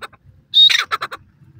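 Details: A Grey Francolin in green grass, possibly a female, gives one loud, harsh squealing note, then three quick rasping notes in under a second, with a faint low rumble behind.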